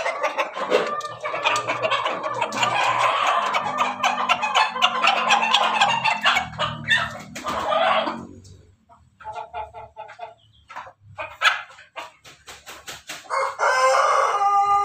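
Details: Crossbred rooster of Pelung Bangkok and Ketawa Bangkok chicken lines, crowing loudly in a long harsh drawn-out phrase lasting about eight seconds, followed by scattered clucks and quieter noises, with a second loud crow starting near the end.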